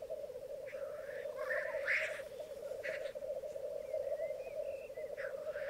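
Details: Black grouse lek, Mykland bog, morning in May 2022, with twelve males and two females: several short harsh hisses and faint thin calls layered over a continuous low bubbling rookoo.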